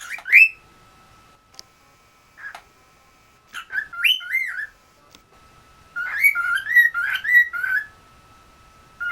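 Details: Pet cockatiel kept indoors in West Newton, Pennsylvania, one of three house birds, trying to whistle: bright warbling whistled phrases rising and falling, given in short bursts separated by brief silences.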